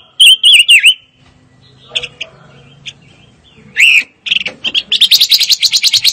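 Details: Fire-tailed myzornis: a few sharp bent whistles, a quiet gap with faint background hum, one loud rising note, then a fast, steady, buzzy trill to the end.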